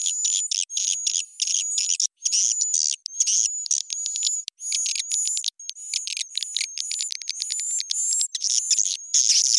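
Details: Upgraded swiftlet calling sound, pitch and tempo increased, meant to attract swiftlets: long run of quick, high, clicking chirps in short groups separated by brief silences, with a constant thin tone behind them.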